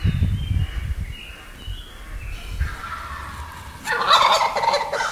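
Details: Wild turkey gobbling on a morning in the Wisconsin woods: after a quiet stretch of low rumbling, a single loud, rattling gobble bursts out near the end and lasts about a second.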